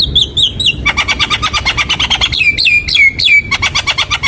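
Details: Javan myna song played as a lure for young birds: bright whistled trills give way to a rapid buzzy stutter, with looping upswept whistles repeated throughout.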